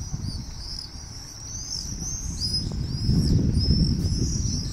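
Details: Swifts calling "Irr! Irr!" over a town in late evening summer light: repeated high shrill screams, several overlapping in rapid series, over constant low rumbling background noise.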